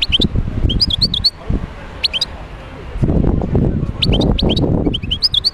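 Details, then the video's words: European goldfinch (wild, Médéa) giving scattered short bursts of bright chirping notes separated by pauses, with low rumbling and knocking noises in the background. "تغريد حسون خلوي(المدية)"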